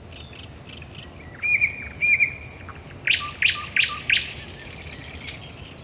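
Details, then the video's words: Night song of a thrush nightingale at Raszyn Ponds, Poland, 10 May 2021: thin high whistles and a trilled phrase, then four loud, evenly spaced sharp notes with low soft tones between them. "Nocny śpiew słowika rdzawego"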